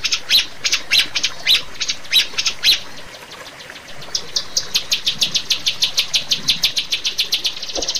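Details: Rio-rio bird in a master recording for training caged birds: sharp high chirps in quick bursts, a brief pause, then an even run of rapid high notes that speeds into a near-continuous trill.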